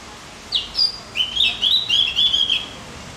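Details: Javan grey-throated white-eye singing, used as training audio to make other birds more excited: a rapid, high-pitched twittering warble of about two seconds, notes tumbling quickly in a jumbled run.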